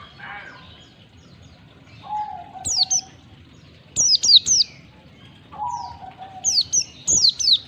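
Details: Recorded to get caged white-eyes singing: high descending chirps in small rapid groups, with a lower level whistle between phrases and faint background twitter.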